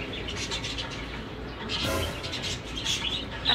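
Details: A budgerigar, a blue bird with a white head, chatters in soft, scratchy chirps and warbles, with a brief louder burst near the end and faint household background.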